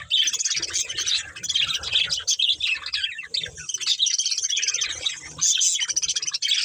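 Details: Budgies from a breeding pair's family chirp and twitter busily, the bright warbled chatter coming in uneven surges with short gaps between bursts.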